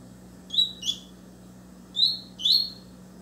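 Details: A Double-collared seedeater sings a lot, close to another bird, with four short, bright, slightly buzzy notes in two quick pairs, high-pitched and rising, over a faint low electrical hum.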